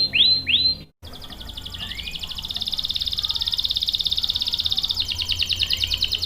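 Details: Canary song for luring and tutoring young males: two loud swooping whistles, a sudden silence, then a long smooth high roll with faint rising slurs, ending in a quicker buzzy trill.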